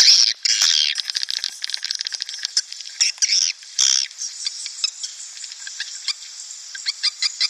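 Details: Swiftlet attraction call for a swiftlet house: loud squealing chirps early on, fading into a thinner train of rapid high ticks and scattered short squeaks.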